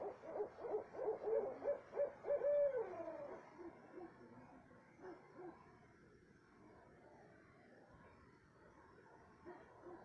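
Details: An owl at 2:30 am in south central Texas delivers a quick train of hoots in the first few seconds, ending in a longer wavering note, followed by faint, sparse echoes of calling amid quiet night noise.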